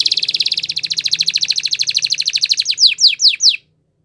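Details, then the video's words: Spanish Timbrado canary song for training: a long, even, rapid trill of high notes, about ten per second, ending in four slower, louder downward sweeps before silence. "Canary Singing Champion !! Spanish Timbrado Song"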